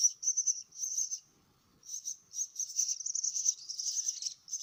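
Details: Myna chicks receiving food give short high buzzy bursts, then fall quiet for about a second before resuming a denser, continuous shrill trill.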